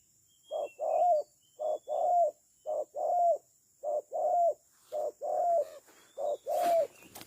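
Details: Decoy spotted dove kept for bird trapping. It coos steadily in paired phrases, each a short hoot then a longer wavering note that dips at the end, about five phrases in seven seconds. Faint high chirps and a brief rustle come near the close.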